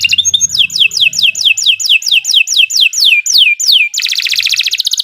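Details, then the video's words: Canary in long, steady song used to trigger singing in other canaries: evenly repeated whistles each sliding from high to low about twice a second, ending in a dense buzzy trill. "Kicau Burung Kenari 148 II LUAR BIASA GACOR PANJANG Cocok untuk Masteran"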